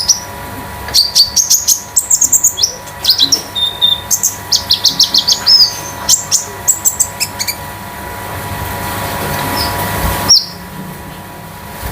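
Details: Konin kept in a cage at home, in a metallic, loose, spotted tutor and lure song. A fast string of high, clipped chirps and brief trills rattles on for about seven seconds. Then it falls quiet before one last sharp note.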